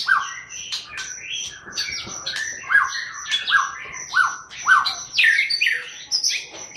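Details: Booming chattering song of a white-rumped shama: quick phrases of repeated downslurred whistles about every half second, laced with harsh rattles and high sharp notes.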